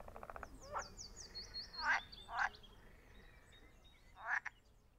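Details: Eurasian coot in spring at a pond in a nature reserve in Münster, giving four short, sharp, clipped calls spaced irregularly, with other birds' thin, high whistled notes and a quick trill in the background.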